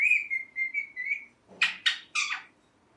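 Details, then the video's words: Green ringneck parrot kept as a pet: a string of pulsing whistled notes at one pitch, then three harsh, broadband chirps in quick succession. "Parrot Speaking Clearly (Mithu Mithu) | Parrot Chirping Sounds | Natural Parrot Sounds"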